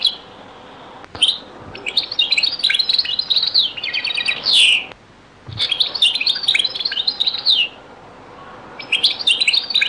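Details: Old recording of a European goldfinch singing the Algerian Beni Messous 'les avocats' zaboka style. Long runs of rapid, glittering twitter and rasping trills, broken by two short pauses, with one more phrase starting at the end.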